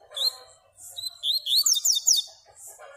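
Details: Yellow-bellied seedeater (Baiano) song: a burst of fast, high, rising and falling sweeping notes in quick succession, preceded by a few short whistled notes, with faint lower background chatter.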